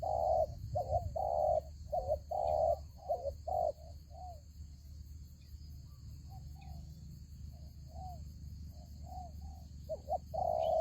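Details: Spotted dove used as a decoy in a trap, giving soft, low, hollow coos in quick clustered groups. They are loud at the start, fade in the middle and return strongly at the end, over a steady low hum.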